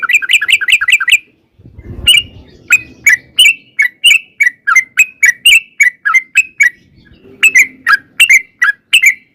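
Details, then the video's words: A sooty-headed bulbul in a long lure song used to make other bulbuls reply. A quick bubbly burst, a pause, then a long series of crisp, evenly repeated chirps ending in a faster flurry. "trucukan gacor TARUNG ROPEL PANJANG pancingan trucukan agar bunyi jadikan burung trucuk gacor NYAUT"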